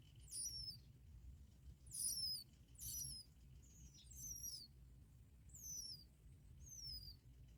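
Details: Bar-winged prinia chicks begging while both parents bring black locusts to feed them: thin, very high squeaky whistles that slide downward, given in short bursts about every second, over a faint low background rumble.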